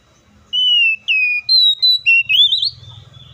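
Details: Loud whistled song of an oriental magpie-robin, a long falling note followed by short bright whistles and a quavering rising trill, with faint low rumbling in the background.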